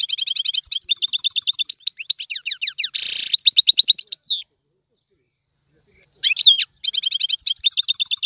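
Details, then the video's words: European goldfinch in tiwawati song. Dense, fast stuttering chirp series and a harsh buzzy burst fill the first half, then a pause, then renewed rapid twittering. "تغريد الحسون طيواواطي"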